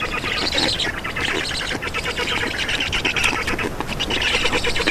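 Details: Black stork nest in Estonia at feeding time, 2 June 2019, 15:43: continuous hoarse, grating chatter of young birds, dense and unbroken throughout, with a few sharper squeaks rising above it.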